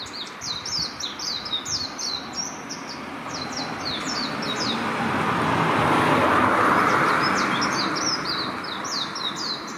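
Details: Warbling white-eye singing on power lines in a residential area on the outskirts of Hachioji: rapid, high twittering notes tumbling in a fast run, partly masked by a passing vehicle that swells and fades midway.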